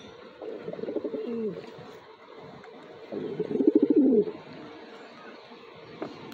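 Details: Domestic racing pigeon giving two low, rolling coo phrases, the second louder and more pulsed, over a steady background hiss with a faint click at the end.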